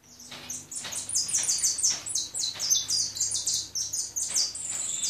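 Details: Lively goldfinch song of fast, high, ringing chirps and short buzzes, delivered in an unbroken jumble for five seconds against a quiet background hum.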